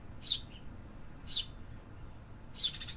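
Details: City birds singing: three high, clipped chirps about a second apart, the last one followed by a brief rapid rattling flutter, over low hum.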